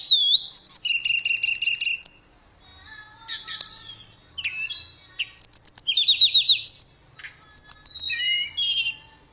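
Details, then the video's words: Lively tledekan, a blue flycatcher, pours out varied high whistles, sharp upward slurs and a rapid lower stuttering trill, phrases broken by short silent gaps. "Kicauan Merdu TLEDEKAN Keren Buat Mastro Voice Tledekan Gacor"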